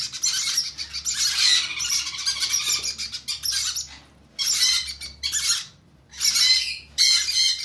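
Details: Conure chicks during hand feeding: harsh, buzzy, noisy squawking bursts in rapid runs, broken by short pauses, with a faint low hum in the background.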